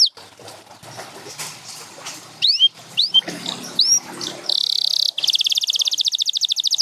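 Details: Champion canary, from a group featuring Gloster and Spanish Timbrado singers, opens with scattered soft chips over faint background hiss, then gives a few sharp rising whistles, a buzzy roll and a fast steady trill.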